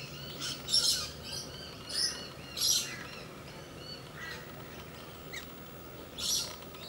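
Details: Two galahs at play produce scattered rasping, noisy squawks, some with brief whistled tonal traces, spaced unevenly across the recording with quieter gaps between and a faint constant hum underneath.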